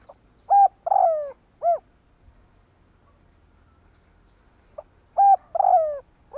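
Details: Decoy spotted dove cooing to draw in wild doves; two loud phrases, each short coos around a drawn-out descending coo, with quiet in between.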